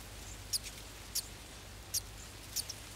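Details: Nestling golden sparrows anticipating a feed give four sharp, very high, brief squeaks, spaced roughly two-thirds of a second apart, over a quiet low hum.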